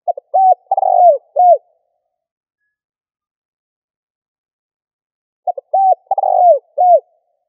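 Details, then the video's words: Lure recording of a spotted dove's call to excite decoy birds. Two low cooing phrases about five seconds apart: quick short notes, then a throaty drawn-out coo falling at the end, with a clean, silent background. "Cu gáy gọi hay kích bổi nhanh nổi"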